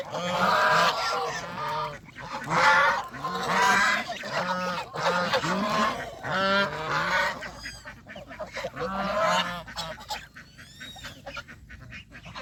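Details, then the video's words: Domestic geese on a countryside farm, let out of the pen for feeding and water play. They give loud bursts of harsh, overlapping honks in waves about every two seconds, then quieter scattered honks toward the end. "Happy Geese Farm Day 🪿🌿 | Geese Leaving the Pen, Enjoying Fresh Greens & Playing in the Water"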